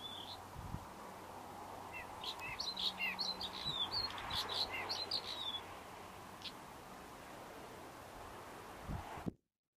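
Buff-streaked Chat giving a run of bright, high chirps and whistled notes for about five seconds, over steady background hiss and a low hum.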